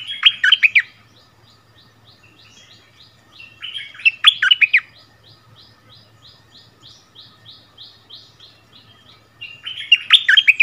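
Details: Decoy bulbul brought back to its old home ground, dueling in song with a new resident territory holder, 3 February 2021: loud bubbling warbled phrases with steep falling notes every few seconds, between them a run of short evenly spaced chirps.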